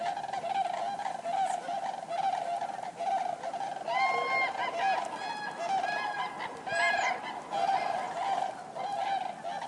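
Common cranes give loud, trumpeting, rolling calls, overlapping in a chorus of several birds with a steady, hoarse backdrop throughout.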